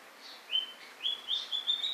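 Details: White-rumped shama uttering thin, high, pure whistles, a short series of level and slightly rising notes that grow quicker and run together at the end.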